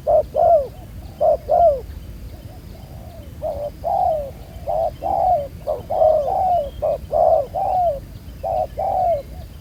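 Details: Mellow two-part coos from a wild-caught spotted dove with a black-spotted collar in a ground decoy trapping setting, each short note followed by a longer descending one, repeated rhythmically, with faint higher bird calls in the background.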